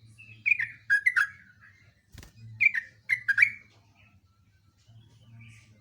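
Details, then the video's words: Yellow-vented bulbul, a lively and vocal bird, giving loud bubbly warbled phrases that drop in pitch, in two bursts separated by a sharp click; low steady hum underneath. "kicauan trucuk super gacor"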